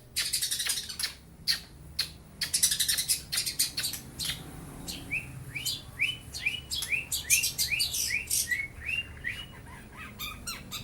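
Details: A young long-tailed shrike mimics lovebird and house sparrow sounds. Dense bursts of sharp high chirps are followed by a long run of short descending whistled notes, about two per second.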